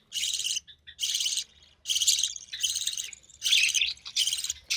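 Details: Young recessive pied budgie, offspring of a white recessive pied male and an albino red-eye female, being fed by its mother; repeated long, buzzy, hoarse rasps of nearly even loudness, separated by brief pauses.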